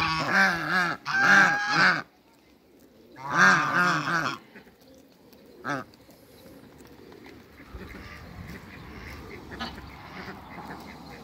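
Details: African geese on a farm, meeting Muscovy ducks, give two bouts of loud nasal honking, then a single short call before quiet background noise with faint distant sounds.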